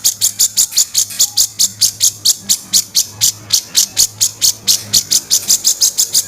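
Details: Grey-cheeked bulbul used as a training master, in the harsh 'kasaran' style of its song: a long run of raspy, buzzy bursts repeated about four times a second at an even pace, with a faint low hum beneath.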